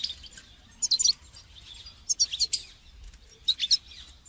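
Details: Goldfinch song for training songbirds, here quieter and more distant, with three separate clusters of high, tinkling twitters over a faint hiss of background noise.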